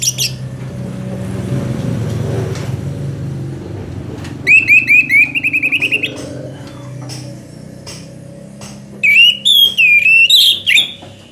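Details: Orange-headed thrush giving its long gacor song for tutoring songbirds: a rapid run of buzzy repeated notes, then after a pause a set of looping whistled phrases that slide up and down, over faint low rumble.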